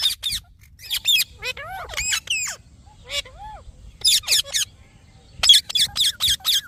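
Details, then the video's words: Green parrot mixing harsh, high squawks with clearer whistled notes that bend up and down, delivered in irregular bursts against a low background rumble. "Green Parrot Natural Sounds"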